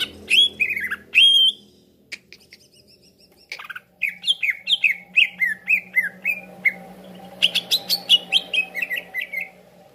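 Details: A greater green leafbird, used as a lure to draw a quick response from other leafbirds, gives harsh squawks, then quick runs of bright, downslurred chirps, two or three a second, in lively bursts.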